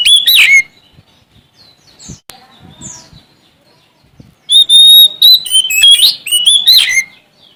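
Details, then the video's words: Sumatran Oriental magpie-robin, male, singing to challenge rivals: an opening burst of slurred whistles, several quiet seconds with faint clicks, then a long loud run of clear whistles and quick varied chirps. "Suara Asli Kacer Sumatra Gacor Cari Lawan"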